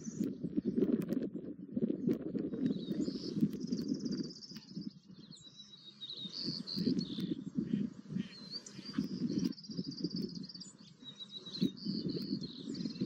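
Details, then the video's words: Herons in their heronry on an early April morning in Vancouver, Canada: dense, low, rapid clattering and chattering calls in rolling bursts, with brief lulls near five and nine seconds, and thin high chirps from small birds above. "Herons in their heronry"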